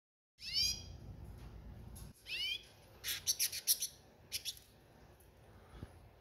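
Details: Breeding female Venezuelan goldfinch, being protective, gives two high, thin, sweeping call notes about two seconds apart, then a quick run of harsh, hissing bursts, over a low background hum.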